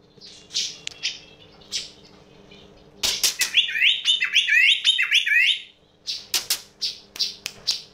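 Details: Sooty-headed bulbul with an unusual sound: a few scattered high chirps, then sharp clicks or flutters and a rapid two-second burst of looping warbled notes, followed by more chirps and clicks.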